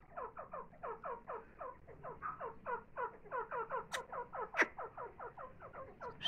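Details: Grey francolin feeding its young: steady, rapid chirping of short falling notes for the whole stretch, roughly four per second, with two sharp clicks partway through.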